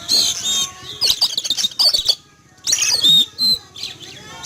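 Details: Frightened caged Oriental magpie-robin in a yard during morning sunning, reacting to an eagle overhead; dense harsh chatter mixed with piercing whistled notes, a short silence, then another burst of grating calls.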